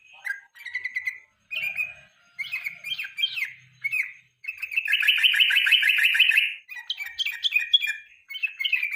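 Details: Yellow-vented bulbul giving its evening lure song, used as master material for songbird contests: bubbly chirped phrases, then a long, loud, rapid rattling trill lasting about two seconds, followed by more quick warbles.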